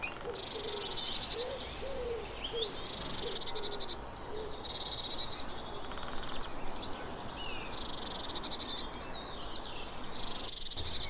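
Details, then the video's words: Eurasian blue tit repeating high rapid trilled phrases several times, some with thin whistles above, while another bird gives low, soft mellow notes early on against steady background noise. "Eurasian Blue Tit - Cyanistes caeruleus"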